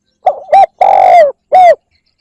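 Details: Spotted dove luring call, a single clear phrase: two short coos, a sustained coo dropping in pitch, and a brief closing coo.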